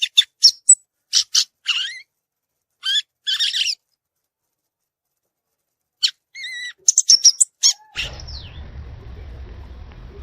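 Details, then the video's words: Violaceous euphonia in the wild giving short bursts of sharp high chips and a few clear whistled notes, separated by long silences, ending in low rumbling noise. "Gaturamo verdadeiro cantando na natureza"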